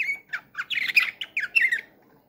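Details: Canary with slavujar nightingale-style (bülbül) song, Ankara, 2023, delivering short loud warbled phrases of slurred, falling whistles and buzzy trills, separated by brief pauses.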